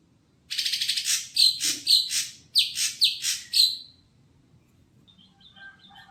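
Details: At a bird-shop kiosk, a caged, untrained greater green leafbird opens with a fast rattling burst, then gives harsh whistled-tipped notes in two groups, followed by faint distant twitters.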